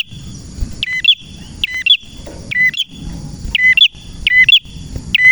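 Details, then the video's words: Lively male red prinia sings bright, clipped chip notes in pairs and triplets, bursts coming roughly every half second to second, against a constant high-pitched tone and soft low background noise. "Prenjak Merah Gacor cocok untuk masteran dan pancingan prenjak bahan ‼️prenjak birds singing ‼️"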